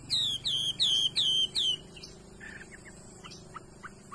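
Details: Chinese hwamei, offered for sale as a fine-voiced 'đảo' bird, giving five loud clear falling whistles in steady succession, followed by quieter scattered short notes over a low hum.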